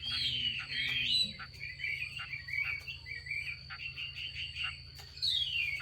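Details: Chinese hwamei female calling to spur males into song: a burst of tangled warbling, then a series of short wavering notes, ending in a sweeping descending phrase, with a steady high tone in the background.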